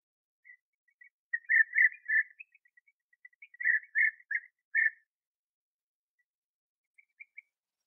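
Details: Bee-eaters calling at the final breeding burrow while nestlings are fed, sunny and 21°C on 8 August 2017; trilled, purring notes cluster in two bursts of four or five, then faint scattered calls fade out.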